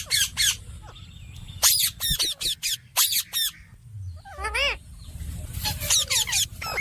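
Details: Talking rose-ringed parakeet, a ringneck, mixing harsh squawks with wavering, speech-like warbled phrases in rapid bursts.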